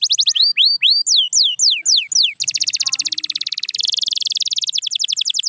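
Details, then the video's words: Singing canary, used to get silent canaries singing again: slow, looping whistled swoops give way to a dense buzzy rattle, then a quick high-pitched trill. "The Secret Sound That Brings Back Any Quiet Canary"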